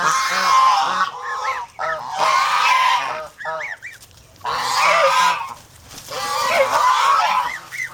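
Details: Farm geese in the Philippines, an aggressive flock protecting their group, let out broad raucous honking blasts alternating with short clipped upslurred honks and near-silent pauses.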